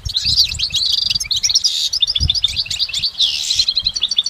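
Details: A goldfinch in a natural setting delivers dense, high twittering and buzzy trills without pause, notes running rapidly together into a full, bubbling song.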